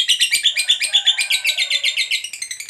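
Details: Lovebird in fighter style delivering part of a long ngekek trill, a call to provoke other lovebirds into answering: quick, chattering high pulses repeated steadily, fading a little at the close.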